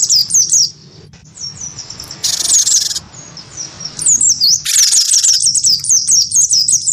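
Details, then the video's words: A wingko-type cinereous tit answering a white-eye with fighting sounds: scattered high whistles, a harsh buzz, then a dense, rapid run of looping high notes mixed with a long rasping burst. "gelatik batu wingko gacor pancing bunyi tarung sama burung pleci"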